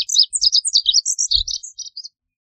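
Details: Lazuli bunting singing: a rapid, high jumble of sweet chirped and warbled notes, some paired, tumbling along for about two seconds before stopping; a couple of faint low thumps underneath.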